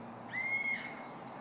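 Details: Wild bird singing on a clear morning, 5 May 2012, in Otsuki, Yamanashi, Japan, louder than the Chuo Expressway traffic below: one long, steady whistled note, faintly rising at the start, over a low traffic hum.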